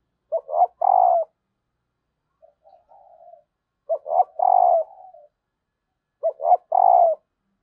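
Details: Female spotted dove's call used to prompt males to coo: three loud phrases, each two clipped notes and a drawn-out falling coo, repeated about every three seconds. Softer murmured coos come between phrases.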